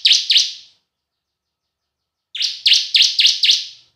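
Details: Bar-winged prinia lure song in the semi and kristal styles: two sharp, bright chirped notes, a pause of over a second, then a burst of five quick, evenly spaced high chirps. No other sounds.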